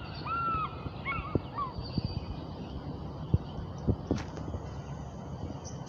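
A bald eagle gives a quick series of thin, whistled piping notes in the first two seconds, followed by low wind rumble and scattered knocks.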